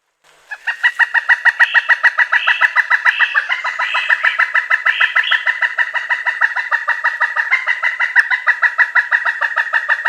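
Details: Long, rapid kuk-kuk-kuk series from a pileated woodpecker, ringing notes repeated about three per second for ten seconds without a break, steady in loudness.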